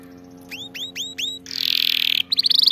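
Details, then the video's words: Canary song for training canaries to sing: a few repeated rising whistled notes, then a fast buzzy trill, then quick bright chips at the end. "أفضل أغنية لتدريب طائر الكناري على الغناء الصحيح"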